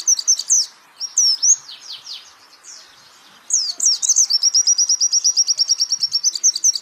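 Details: White-eye (pleci) master recording for training songbirds: opening sharp high chirps and downslurred whistles, a quiet gap, then a long fast trill of repeated thin notes.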